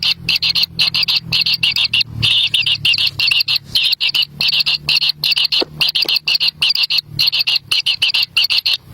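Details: Baby kingfishers in the nest, competing for a black lizard the adult carries in. Quick clusters of dry, buzzy, high rasps repeat over and over, with a low hum beneath.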